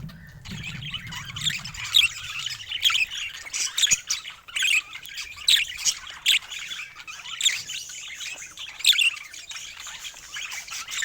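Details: Pet budgerigars kept as happy companion birds, a group chattering nonstop with dense scratchy warbles, squeaks and sharp chirps bursting every second or so, with a low rumble fading in the first second.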